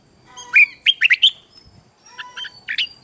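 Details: Red-whiskered bulbul morning song used to train and stimulate wild-caught young birds to sing in fiery competition: two loud bursts of rich, warbled whistled notes, a short pause, then a softer, shorter phrase ending in a bright flourish.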